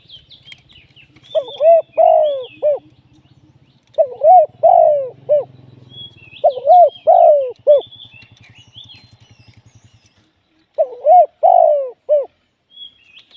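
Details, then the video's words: Live decoy Spotted dove used for trapping repeats its low cooing phrase four times, each a cluster of three to four hollow notes with the middle one longest. High thin twittering from small birds runs above, with a soft low hum. "เสียงนกเขาใหญ่ ต่อสด"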